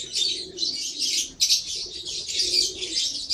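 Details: Lovebird giving continuous high, buzzy chattering with one sharp louder squeak partway through.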